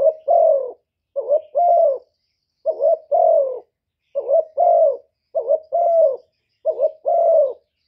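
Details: Spotted dove decoy cooing gáy gù to stimulate other doves. Six deep, slightly rough phrases at a fairly even rhythm, each a short double note then a long descending coo. Nothing else is heard.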